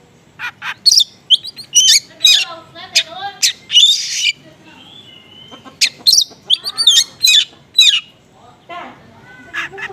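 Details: Oriental magpie-robin song used to lure other magpie-robins into responding, with small-bird material in it: bursts of sharp whistled and squawky notes, some rising and some falling, in fast irregular phrases broken by short pauses.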